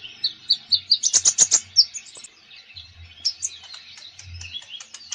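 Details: Konin singing actively, used to train reluctant konins to sing: a quick string of shrill chips accelerating into a fast, bright rattle, then softer twittering and scattered notes over a faint low hum.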